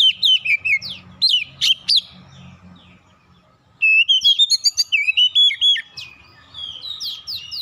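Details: Magpie-robin lure song meant to set other birds singing. Two bursts of energetic whistling are split by a pause of nearly two seconds. Sharp descending slurs are followed by a long, rapid series of bright chirped notes and softer trailing whistles.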